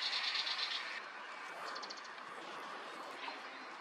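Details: A male tiger shrike, a rare summer visitor in Korea, in mid-May 2024, gives a quick run of dry, high ticking chatter notes, then a shorter, softer burst of similar notes over steady background hiss.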